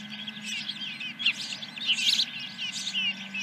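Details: Osprey at a ranch nest, 10 July 2021, morning, first fish: short high whistled chirps, some slurred upward, in a quick cluster over a faint low hum.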